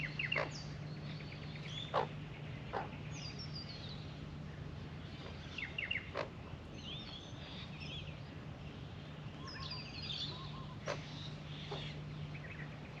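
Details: Quiet, varied warbling from two Australian magpies at a birdbath, mixing scattered chirps, brief trills and short twittery phrases across several seconds, with a steady low hum and occasional sharp clicks.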